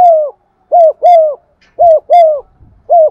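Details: Lure spotted dove giving methodical stimulating coos, 'giọng son' voice: mellow, low hooting notes paired back to back, each drooping at the end, repeated steadily with a faint rustle in between.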